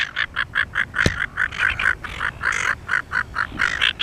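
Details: A pair of Silver gulls displaying on Penguin Island, off Shoalwater near Rockingham, give a steady series of short nasal calls, about four to five per second, then one louder overlapping burst, in an open outdoor setting.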